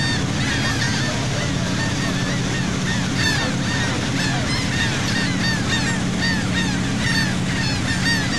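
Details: Seagulls calling at sea off Saint Martin, Cox's Bazar, Bangladesh, as heard from a boat: many short, bending squeals from a large group, with the boat's low motor hum underneath.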